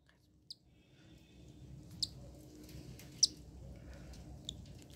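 A newly hatched cockatiel chick gives four faint, thin, very high peeps, each about a second apart, over a low indoor hum.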